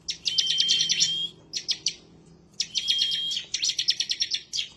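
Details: 'Semi' bar-winged prinia, agitated and seeking a rival, delivers rattling bursts of quick high notes over a steady thin whistle, with a gap of about a second between phrases. Intended as a tutoring recording.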